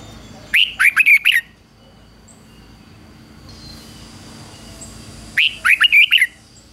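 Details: Decoy red-whiskered bulbul singing to goad wild rival birds into coming to fight. Two quick warbled phrases of five or six whistled notes, about five seconds apart, with faint background hiss between them.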